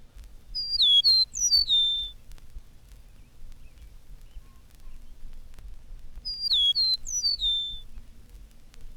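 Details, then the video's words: In spring, an Eastern Meadowlark on a telegraph pole sings two phrases of high, clear, slurred whistles, each falling in pitch and about five seconds apart, fitting "It's sweet to me" or "the spring of the year." Faint low hum behind. "On the next telegraph pole is an eastern meadowlark, greeting the world in high, clear whistles that seem to fit the phrase, "It's sweet to me,""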